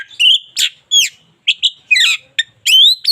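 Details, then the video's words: White-rumped shama from a local strain giving loud, bright whistled notes and buzzy chirps in quick bursts separated by short gaps. "KACER LOKAL GACOR SUARA UNIK COCOK UNTUK MASTERAN HARIAN!"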